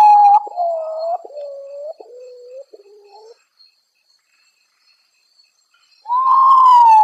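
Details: Potoo at midnight, the nocturnal ghost bird: a descending ladder of four or five plaintive whistled notes, each lower than the last, then silence before a strong new whistle begins.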